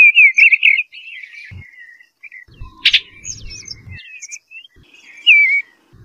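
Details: Eastern bluebird song: a rich, wavering warble opens, followed by a sharp click, low thumps and scattered faint notes, then a short, sweet downslurred phrase near the end.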